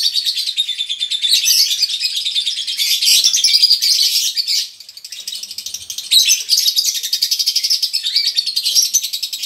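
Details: Ngekek chatter of konslet lovebirds, male and female, kept as a colony and used to provoke singing in others: long stretches of loud shrill chirping bursts, a brief quieter lull midway, then rapid pulsing chatter again.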